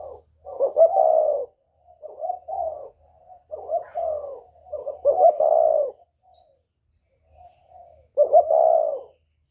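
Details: Spotted dove lure call, northern type with a whistle-like voice: loud stuttered coos with long hooting ends, softer clipped notes between, a pause, then one more strong drawn coo; a faint low hum underneath.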